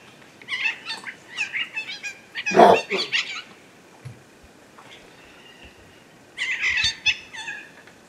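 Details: A pair of blue-winged macaws flying over a wooded hillside foot in the Bahian sertão. Harsh, raspy squawks come in two bursts of rapid repeated notes, separated by a quieter gap.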